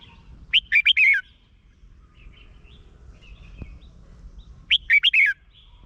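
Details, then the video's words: In Thailand, Red-whiskered bulbul song is used to rouse caged birds. Two short, sweet phrases of rapid rising and falling notes sound about four seconds apart, with soft distant twittering and a faint click in the pause. "เสียงนกกรงหัวจุก สำหรับต่อ หรือ เปิดให้นกคึก เสียงเพราะๆ"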